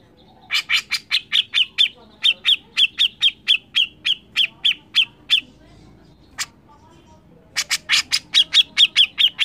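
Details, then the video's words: Grey-cheeked bulbul singing loudly and persistently, a recording meant for tutoring songbirds: long runs of quick, bright chirps about four per second, a short gap with one isolated note, then another fast run. "cucak jenggot gacor mbeset ngotot ampuh untuk masteran burung kicau"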